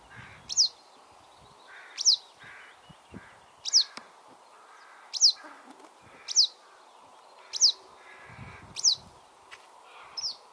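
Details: A western yellow wagtail at Bogolyubovo on 22 June 2020 gives thin, high, sharply slurred single calls, about eight in ten seconds at an uneven pace, over a faint background hum.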